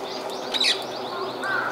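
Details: A flock of rose-ringed parakeets feeding on tree fruit at Izumi no Mori, 30 January 2023, gives contact calls: a quick run of high, arched "kyuru" chirps about five a second, with one louder squawk among overlapping calls.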